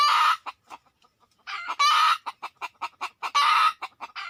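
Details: Red junglefowl, wild birds arriving within two minutes: loud hoarse crowing bursts repeated about every one and a half seconds, separated by brisk clucks.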